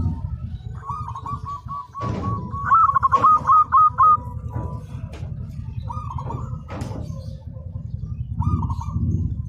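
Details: Local zebra dove singing steadily, kept as a master recording for training: a long run of soft, even cooing notes near the same pitch, then a louder stuttered burst of rolling coos, with short cooed phrases later and a low rumbling hum throughout.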